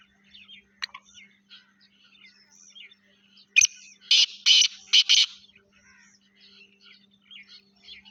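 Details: Partridge of a Sindhi Laka Gangas cross calling: a cluster of five loud, rasping bursts in the middle, closely spaced, with faint twittering birds before and after and a low electrical hum throughout.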